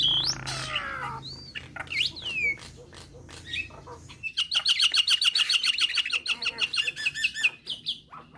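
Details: Nias hill myna, whose song is said to make starlings start singing; scattered sliding whistles and clicks give way to a fast, even series of short bright notes, with a low hum beneath.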